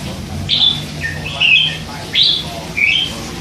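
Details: Hand-fed young red-whiskered bulbul, three months old, kept as a cage bird and chattering all day: four short bright warbled phrases, each under half a second, with a faint low hum underneath.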